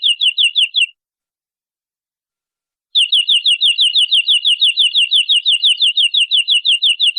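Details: Canary singing a long masteran song for young birds to learn: a short burst of high, bouncy repeated notes, two seconds of silence, then a long steady trill of the same sharp note, about six per second. Nothing else is heard.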